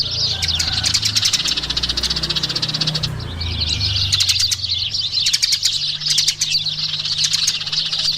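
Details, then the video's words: Several Eurasian tree sparrows chirp in quick high bursts, thinning after three seconds into separated clusters of sharp notes, with a low rumbling sound early on. "SUARA BURUNG EMPRIT GEREJA"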